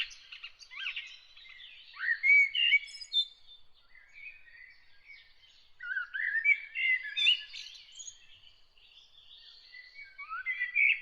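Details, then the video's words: Early-morning birdsong with rapid, varied warbles: chirped notes rising and falling, phrases repeated in clusters every few seconds, with faint background noise between them. "Bird singing early in the morning"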